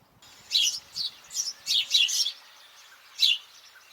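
House Sparrow giving a run of bright chirps, about six short notes in two seconds, then one more after a pause.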